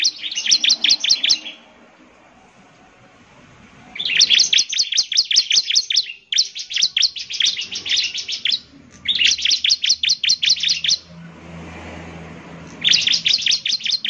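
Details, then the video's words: Bar-winged prinia singing vigorously, a song to trigger replies from other prinias. Four dense bursts of quick, shrill chips last about two seconds each, separated by quieter stretches with a faint low hum. "Inilah suara ciblek GACOR paling di gemari, SEMUA ciblek pasti langsung NYAUT"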